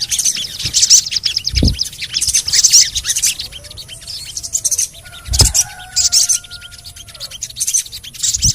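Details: ['Ruby-cheeked sunbird (sogon) chirping, used as therapy to prompt a reluctant bird to sing: bursts of very high, dense twittering chirps recur every second or so, with a faint lower drawn-out whistle and a few soft thumps.']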